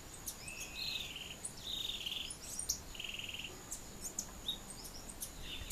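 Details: Thick-billed euphonia in Barinas, Venezuela, giving short, high, buzzy trilled notes in bursts about a second apart, with sharp ticks and a steady insect hum behind.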